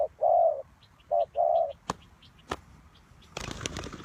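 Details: Spotted dove kept as a decoy for trapping. It gives a low, soft two-part coo, then a shorter coo and a longer drawn-out coo. These are followed by sharp clicks, faint high chirps and rustling noise at the end.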